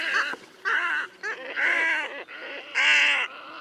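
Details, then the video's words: A squacco heron at Lake Panic, Kruger Park, gives harsh, nasal, rasping croaks, about six gruff bursts in under four seconds at an uneven pace, with little else heard. "Squacco Heron (Ardeola ralloides) Bird Call"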